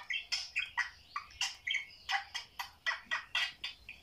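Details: Budgerigars indoors as they watch videos, calling in a steady sequence of sharp, squeaky chirps, roughly three or four per second.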